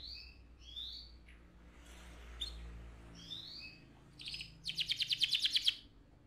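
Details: Canary song meant to excite the male and ready the female for breeding: scattered soft rising whistles over background hiss, then a loud fast pulsing trill near the end.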